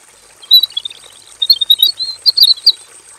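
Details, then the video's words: Aviary-caged robin singing a varied training song: dense, rapid warbled chattering at high pitch in two long bursts separated by a brief lull, with a steady high whine in the background. "KICAU SUARA MASTERAN BURUNG ROBIN GACOR FULL VARIASI"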